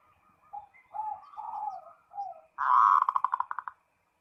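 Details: Perkutut (zebra dove) calling to a rival, giving several short soft coos, then a loud burst breaking into rapid pulsed notes that fade out quickly.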